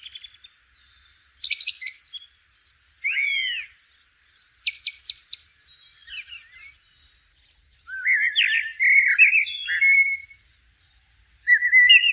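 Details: Blackbird singing in nature: a series of separate phrases, some low and mellow with fluted notes, others high squeaky twitters, with short pauses between them and a quiet background.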